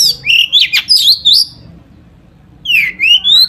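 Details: Long-tailed shrike in varied song packed with imitated phrases, intended to provoke other shrikes to sing: loud warbled, slurred whistles and squeaky notes in a rapid burst, a short pause, then rising squeaky whistles.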